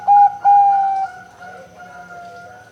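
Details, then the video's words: Female zebra dove of the Bangkok type, used as a lure to make other doves sing: two loud, steady, mid-pitched coos, the second drawn out, followed by a long, fading, slightly falling tone. "PERKUTUT BETINA PANCINGAN, BERANI DENGER SUARA PERKUTUT BANGKOK GACOR INI, PERKUTUT SUARA BESAR"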